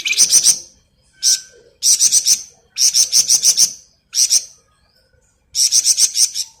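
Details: Flamboyan bird in full "ngebren" song, used as a tutor recording for other songbirds: short, dense, high rattling trills in bursts of about half a second, separated by brief pauses.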